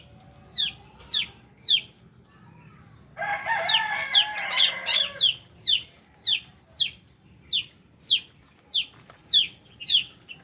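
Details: Lovebirds at feeding time give sharp, high, squeaky chirps repeated nearly twice a second, with a brief burst of overlapping chatter midway.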